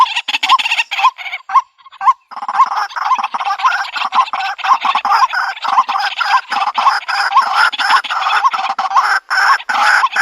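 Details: White-breasted waterhen call, played in the countryside to lure birds into a trap: a steady run of hoarse, nasal croaking notes about twice a second, rising and overlapping densely with a hissy, crowded background.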